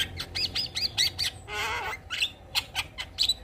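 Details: Javan myna in full gacor song with isian fill-ins, rapid harsh squawked notes in a row, then a longer grating rasp, followed by more clipped high chatter.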